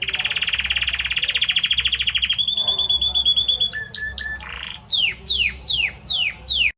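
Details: Belgian canary male singing to the female: a long, rapid, rolling trill, a held clear whistle, a few short chips, then six loud descending whistled sweeps repeated about once a second.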